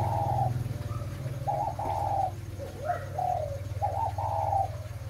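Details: Low, hollow cooing from a breeding spotted dove ('mã phân hồng'): several two-part coo phrases with a few faint higher slurred notes between them, backed by a continuous deep hum.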